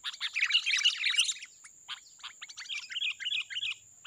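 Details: Wild sooty-headed bulbul giving busy, chattering song: a loud cluster of rapid chirps at first, then scattered short notes and a run of bright, bouncing phrases, over a constant high-pitched whine.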